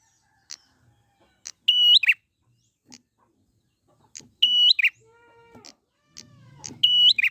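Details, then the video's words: Wild prinia recorded in nature, used as a lure to get birds singing: loud, sharp high chirps, each a flat whistled note ending in a quick downward flick, in three bursts, with softer lower harmonic notes between them. "pancingan prenjak gacor alam liar"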